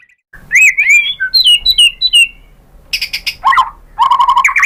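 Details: White-rumped shama song played to provoke other shamas into answering; clear whistled notes rising and falling around a steady pitch, then loud buzzy rasping bursts and a fast run of bright repeated notes.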